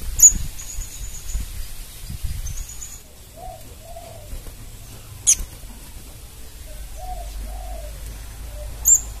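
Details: Crimson sunbird, a young untrained bird answering a lure recording: sharp, very high chips at the start, middle and end, with thin high tones trailing after. Soft low dove-like coos sound in between.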